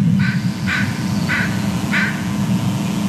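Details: Adult bald eagle calling at the nest on a live nest camera: four harsh, noisy call notes about half a second apart over a steady low rumble of wind or water.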